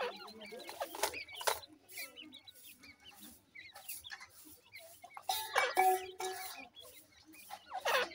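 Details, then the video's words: Little grey francolin chicks while feeding, many soft peeping chirps and rising squeaky notes scattered throughout, mixed with clucking sounds and sharp clattering bursts. "gray francolin little chicks feeding,teter chicks awaz"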